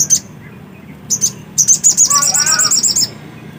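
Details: Black-capped white-eye singing actively, opening with a few isolated high sharp chips, then a quick run of piercing high notes accelerating into a dense trill, with faint lower warbled notes underneath; little background noise.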